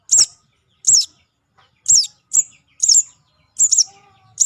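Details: Young sogon calling, recorded as a lure: loud, high, slightly downslurred chirps, some doubled, coming every half second or so.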